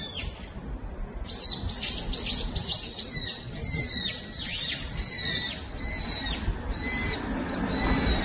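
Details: Wild brown-eared bulbul calling on the forested slopes of Gyeyangsan mountain: rapid bursts of shrill, harmonic-rich chirps, each note sliding downward, tumbling in dense overlapping series after a brief quiet start, over a soft low rustling background.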